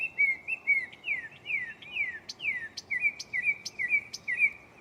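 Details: At night a mockingbird sings from a tree right next to the listener, shuffling its catalog: repeated swooping whistles, then sharp high clicks paired with short chirps, delivered briskly.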